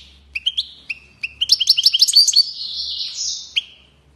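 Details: European goldfinch starting to sing: a few spaced, sharp two-part chirps, then a quickening burst of high tinkling notes sliding into a buzzy sustained phrase and a last single chirp.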